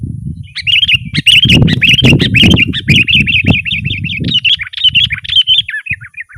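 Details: Sooty-headed bulbul singing, recorded as a lure for wild birds and a master song for caged birds: fast continuous chattering chirps, bright and bubbly, running for several seconds over loud low rumbling noise.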